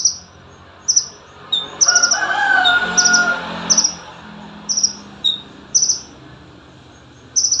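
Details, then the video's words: Olive-backed sunbird song for training other birds: high, sharp chirps repeated roughly every second, with small softer notes between them. A lower rooster-like crow rises and falls in the background for about two seconds. "Burung konin si kecil yang fenomenal cocok buat masteran"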